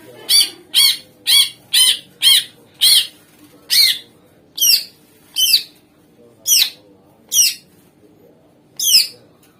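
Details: Greater green leafbird singing vigorously, used as a lure to make other songbirds answer: a run of loud, harsh, buzzy squawks, fast at first and then slowing to about one a second, each a brief broadband burst.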